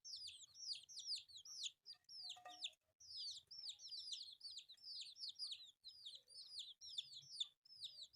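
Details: Newborn baby chicks, several colourful young birds eating rice, give a steady stream of shrill descending peeps, many voices overlapping, broken by a brief clatter around the middle and soft low tapping throughout.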